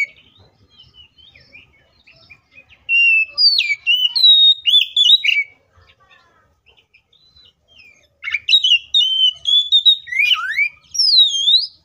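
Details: Oriental magpie-robin delivering an intense, loud fighting song to provoke other magpie-robins. Two long bursts of rapid whistled notes, chips and swooping slides, the second ending in a wavering, looping whistle.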